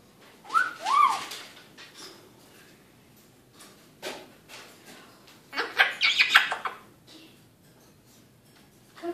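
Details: Eclectus parrot at home chatting in the evening: scattered short syllables, a pair of quick arching calls early, then a burst of rapid harsh chatter, with clicks and handling noises between.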